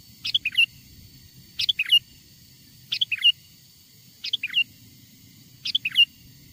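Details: Wild sooty-headed bulbul song used as a lure so wild bulbuls approach: five steady phrases, each a sharp high note then two bouncy twisting notes, repeated regularly about every 1.3 seconds.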